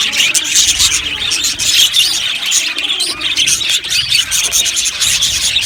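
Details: Many budgerigars in a colony aviary twitter and chirp rapidly, with clear bright notes standing out from the constant background chatter of the flock.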